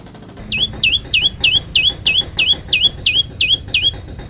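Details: Olive-backed tailorbird singing a rapid series of hooked notes that drop sharply then flick up, about three per second, over a faint background hum.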